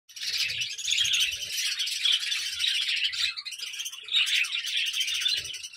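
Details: A colony of Red Eye budgerigars in the morning, many birds chattering together in a dense, continuous wash of high twittering and warbling chirps, with faint low thumps underneath.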